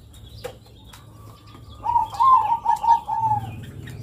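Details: Local zebra dove (perkutut lokal) singing long cooing phrases, used as a lure to prompt young birds to sing; a run of rolling, slightly rising coos near the middle, with faint background hum.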